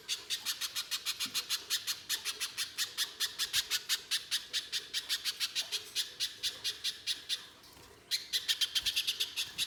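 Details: [8, 'Little spiderhunter delivering its harsh, rapid lure song: a long run of sharp high chips at a fast steady rate, a brief silence near the end, then the chipping resumes.']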